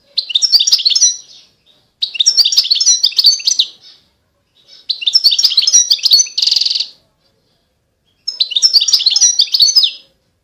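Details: European goldfinch song recorded in 2020: bursts of rapid twittering, tinkling notes between about two and eight kilohertz, each burst lasting nearly two seconds, one ending in a harsh buzzy rattle, separated by short silences.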